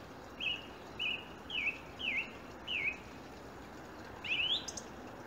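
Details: Birdsong at 7am on a January morning, with blackbirds and a robin among the singers. Five short, thin, high chirping phrases come at even spacing, then a brighter rising twitter, all over a steady background hiss.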